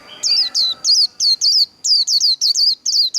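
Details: Vietnamese líu đấu fighting song by a Japanese white-eye, used to stimulate wild-caught birds: a dense stream of a dozen shrill, down-slurred twitters, briefly paused mid-way, over faint low background tones.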